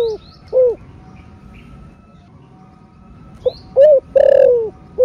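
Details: Spotted dove (cu gáy) cooing, thổ sấm / thổ rền voice, played so caged doves answer. A couple of short low hoots, a long pause, then rising clipped notes into a buzzy extended coo. Faint thin chirps above.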